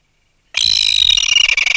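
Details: Adult red-billed tropicbird removed from its nest, giving alarm calls at close range: a harsh, shrill, continuous scream that starts abruptly and turns ragged and pulsing toward the end.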